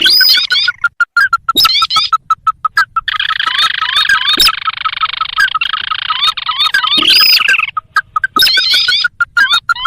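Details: Lure call of the sintar, a rice-field and marsh bird, meant to draw in wild birds: bursts of rapid clipped notes and upward-slurred whistles alternate with a long buzzy, churring stretch in the middle.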